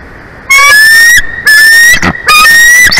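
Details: Bald eagle nest in Big Bear Valley, California, late morning of 23 February 2024; loud piercing whistles, long and level with a slight upward slide, three in quick succession with a rough crackle between them.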